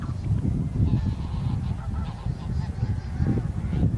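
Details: A flock of bean geese, including a leucistic bird, on Korean wintering grounds on 9 March 2021 honk, with nasal, overlapping calls in quick bursts over a heavy low rumble.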